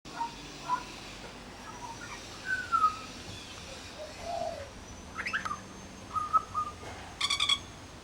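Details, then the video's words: Pied butcherbird at a bird sanctuary mimicking other birds: scattered short whistled notes, some rising or falling, spaced irregularly, ending in a quick burst of sharp chirps, over faint steady background hiss. "Amazing mimicry by Pied Butcherbird"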